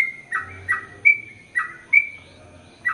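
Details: ['Sooty-headed bulbul, chatty ropel panjang style training song for male and female birds: a few separate short whistled notes, some clear flat whistles and some bubbly falling ones, spaced by brief pauses, over a faint low hum.']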